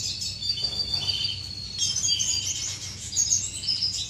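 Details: High, tangled twittering from courting finches kept in an aviary, May 2015, with a brief pause then a burst of louder chirps and trills, and a low hum beneath.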